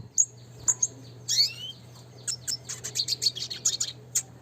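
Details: Red siskin, a classic singer used as training song for caged birds, giving high twittering notes with a rising whistled slur, then a quick series of sharp chirps; steady low hum beneath.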